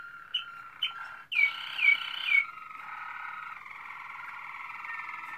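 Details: Waterslager canary (Malinois), 2016, with two short high notes and a burst of three loud slurred whistles, followed by a smooth, sustained low roll.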